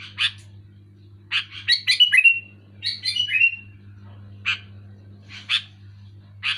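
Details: Loud, clear Sooty-headed bulbul song, meant to rouse silent bulbuls into singing: scattered harsh chirps around two rushed phrases of bubbly notes that each fall away into a trailing whistle, with a constant low hum beneath.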